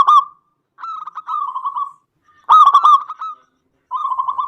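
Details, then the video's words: Zebra dove, a local bird, singing to provoke rival doves into answering: rolling, bubbly cooing phrases with a stuttering rhythm, a sharp louder burst near the middle and softer trilled sections between, no other sounds. "SUARA PERKUTUT LOKAL GACOR AMPUH UNTUK PANCINGAN EMOSI PERKUTUT LAIN JADI GACOR"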